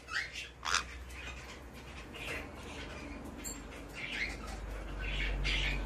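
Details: A hand-tame male White-bellied Caique chick in Fukuoka, Japan, on 17 May 2024 gives about five short, harsh, scratchy squawks at irregular intervals, over a steady low indoor rumble.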